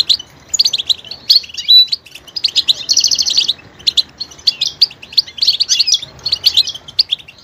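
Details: Goldfinch song full of varied vocal details, switching between sounds: rapid high twittering notes, a dense buzzy trill mid-phrase, then bursts of tinkling chirps continuing to the end.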